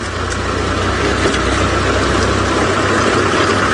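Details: A steady vehicle engine idles and rumbles throughout during an early-morning safari drive, a broad noisy roar with no animal voice standing out.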